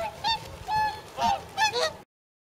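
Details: Pre-migration whooper swans at a pond in Nagamine, Nishiyama-machi, with close to 300 birds; four drawn-out trumpeting honks, some doubled, in two seconds, then sudden silence.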